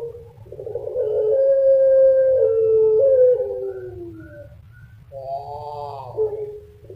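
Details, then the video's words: A long drawn Pelung dove call: a rising lead-in into a sustained level tone that drops in steps and fades, then a shorter wavering phrase ending in a held note. "Kumpulan _Suara Puter Pelung Bikin Burung Puter Lain Ikut Manggung Gacor"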